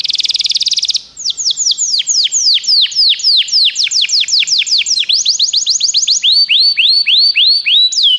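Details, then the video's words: Pet-canary stimulation song: a brief buzzy trill opens, then a rapid run of sharp downswept whistled notes, about four a second. The notes shift into curved rising notes toward the end. High and clean, no background noise. "seu canário vai cantar muito"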